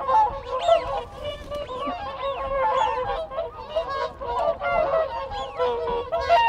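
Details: Close whooper swan flock keeping contact with one another: loud, clustered trumpet-like honks in quick succession, overlaid by arching whistled notes, with wigeon and Canada geese audible further back.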